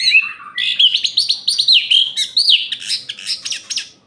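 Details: Orange-headed thrush in night-time song meant to rile other males, delivering a dense, fast stream of varied chirps, trills and slurred whistles that mimic-like change every fraction of a second for about four seconds.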